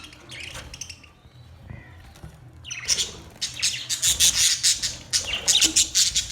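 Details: Budgies begin with sparse soft chirps, then break into loud, fast, rasping chatter with pulsing squawks over the second half.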